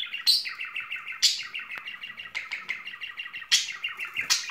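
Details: Courting pair of budgerigars with spring feelings: a dense, chattering warble of quick bright notes, broken by sharper high chirps about once a second.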